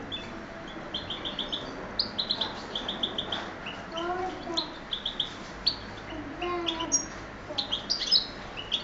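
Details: Goldfinch x canary hybrid, a pet bird from Oued Souf, singing quietly: short series of rapid high trilled notes and chirps recurring throughout, with softer lower warbles and a faint background hum.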